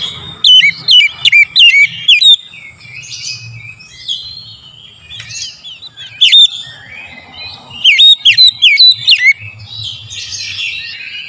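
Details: Oriental magpie-robin in full morning song, played as a lure to get other birds singing: repeated bursts of loud, clear whistled notes that dip and rise quickly, separated by softer chattering and warbling, with a faint low hum behind.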